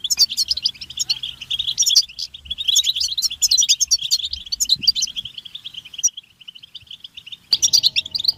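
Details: European goldfinches give butbata group twittering to stimulate male singing. Busy, rapid chirps and trills thin into a quieter, sparse stretch and then burst out again.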